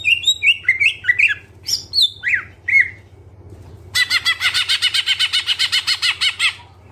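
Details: Active greater green leafbird pouring out full isian song, jumbled slurred whistles and squeaks, a short pause, then a long harsh rapid chatter of repeated notes, against a low hum.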